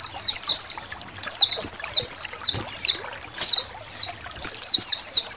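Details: A colony of Indonesian white-eyes. Rapid, piercing downward-sweeping chirps come in tight runs separated by short pauses, with several birds chattering at once.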